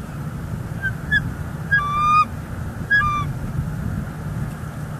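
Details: Bald eagle pair at a Florida nest cam in December 2021 while grasses are added and egg duty changes; three high, thin whistled calls, the middle one a longer stuttering squeal, over a low background rumble.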